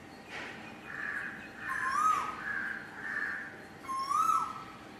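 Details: Asian koel singing, giving loud, clear whistled notes that slide upward, two of them about two seconds apart. Softer, hazier tones and a steady faint hum fill the gaps.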